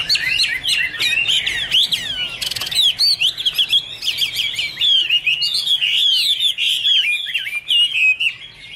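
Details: Chinese hwamei in full song: rapid, varied whistled phrases with sharp downslurs, trills and chattering bursts, loud and unbroken, plus a brief rattling sound near the middle.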